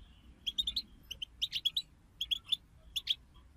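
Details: Group bitbita chorus of European goldfinches, used to stimulate a goldfinch to sing: quick clusters of clear, bright chirps, three or four notes at a time, separated by short pauses, over a faint low hum.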